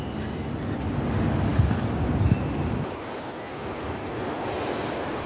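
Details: Low rumbling vehicle or wind noise fills the recording, with no animal calls audible.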